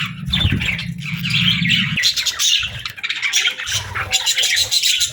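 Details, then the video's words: Budgerigar chirping: dense, scratchy warbled chatter that runs continuously, with a low humming rumble underneath for the first two seconds. "Budgie Chirping Sounds"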